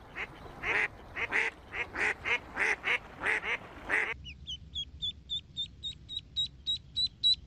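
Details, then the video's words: Ducklings swimming in a pool: a run of rasping duck quacks gives way to clear, high, thin duckling peeps repeated rapidly, several per second, over a low hum. "Ducklings - Duckling Sound"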